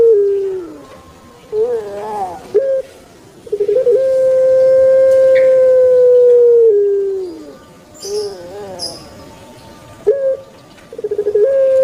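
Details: Kept turtle dove of the puter pelung kind delivering repeated coo phrases: wavering, gurgling short notes, then a long flat tone of about three seconds that sags at the end, followed by more warbling coos.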